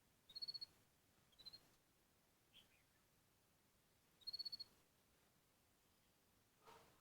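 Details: Yellow Canary F1, bred in Ho Chi Minh City, gives three high, rapid trilled bursts, each about half a second long, with a single soft chirp and a dull knock in the quiet gaps.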